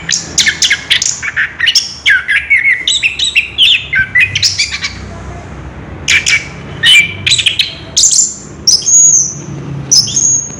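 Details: Ngerol-style rolling song from an orange-headed thrush: a dense burst of chattering, tumbling notes, a short lull, then sharp squeaks and long thin high whistles drawn out at the end.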